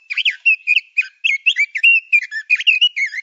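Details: Male Oriental magpie-robin singing for songbird training: a steady string of clear, varied whistles, each note sliding up or down, delivered in quick succession with short gaps and no other sounds.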